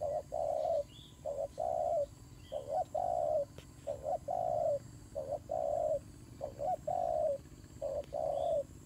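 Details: Turtle dove cooing while fighting: steady two-part phrases, a brief hoot then a longer hollow coo, repeating about every second, with faint high chirps from another bird.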